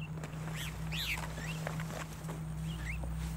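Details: Javan myna calling during a trapping session, used as a lure; several short rising and falling whistled notes scattered over a steady low engine-like hum.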